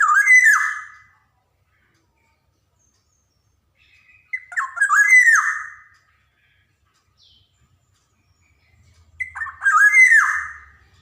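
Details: Lively black-naped oriole of the Javan golden form, used to encourage young orioles to sing: three loud slurred, fluty phrases with harsh overtones, roughly every four and a half seconds, separated by quiet gaps.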